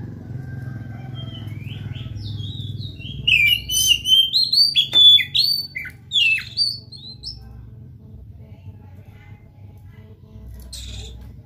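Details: Oriental magpie-robin singing, used to stir another bird into song: a steady low hum, then about four seconds of lively whistled phrases and sharp clicks, trailing off into quiet with a faint note near the end.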